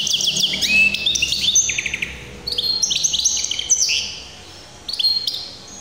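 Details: Hybrid canary singing, 2023: fast bright trills and sweeping whistled phrases with short buzzy rolls, bursts run for about two seconds each, separated by brief pauses, one sharp final phrase near the end.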